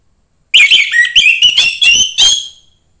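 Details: Young forest-bred orange-headed thrush singing a short loud phrase of varied whistles and buzzy slurred notes, about six notes in two seconds, used to stimulate other thrushes.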